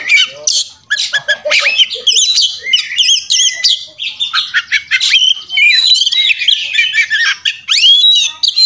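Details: Oriental magpie-robin in fighting mood, singing hard and full of mimicked fillers as a tutoring recording: a dense, fast stream of varied high whistles, chirps and rising slurs with almost no pauses.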